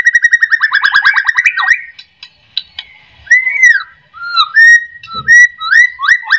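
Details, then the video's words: White-rumped shama song used as a lure to get other shamas singing: a fast run of clear whistled notes, then pauses and loud slurred, curving whistles, some rising and some falling. "AMPUH buat pancingan murai"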